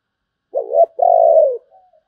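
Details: Spotted dove song with a deep booming tone: a short husky coo then a longer drawn-out rolling coo, followed by a faint soft note, in quiet surroundings.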